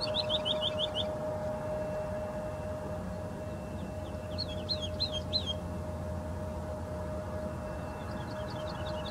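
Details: Woodlark, called totovía locally, giving its characteristic song: short bursts of liquid, falling, quickly repeated notes near the start, middle and end. A steady low hum and rumbling background noise run throughout.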